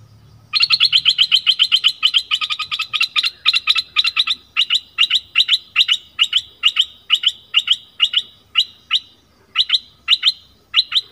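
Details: Lure recording of a red-whiskered bulbul used to call in wild birds: a long series of sharp, bright chirped notes, rapid at first and then spaced about two to three per second, clean and loud against a quiet background.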